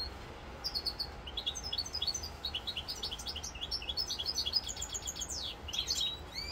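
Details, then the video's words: European goldfinch on 7 November 2022 in Corsica pours out a continuous, rambling twitter of bright chirps and tinkling notes, with a rising and falling slurred whistle near the end over a low hum. "chant chardonneret rosse corse"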